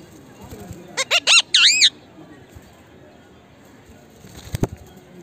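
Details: Indian ringneck parakeet talking: a brief burst of three short, bright syllables, then a longer wavering, speech-like note, then near quiet apart from a couple of soft clicks toward the end.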